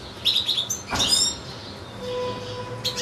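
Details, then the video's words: Caged European goldfinch kept with goldfinch-canary hybrids: three quick wavering high chirps, then a dense buzzy twittering burst, followed by a faint steady tone and one last short chirp. "ΚΕΛΑΗΔΉΜΑΤΑ ΑΠΌ καρδερίνες & καρδερινοκάναρα"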